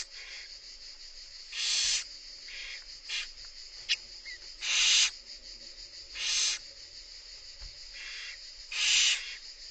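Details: Barn owl nestlings begging as their mother feeds them: repeated loud, grating hisses about every one and a half seconds, with quieter hisses and a sharp click between.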